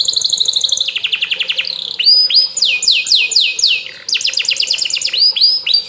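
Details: Canary song played to prompt another canary to respond: fast repeated trills and rapid rolling chirps at high pitch, shifting between phrases of quick sweeping notes, loud and continuous.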